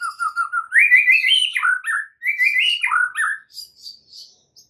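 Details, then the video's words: Oriental magpie-robin masteran with full isian: short whistled notes lead into two rising, warbling phrases that climb and then drop, followed by soft scattered high notes. "MASTERAN Murai Batu FULL ISIAN , Murai manapun AUTO NYAUT mendengarnya"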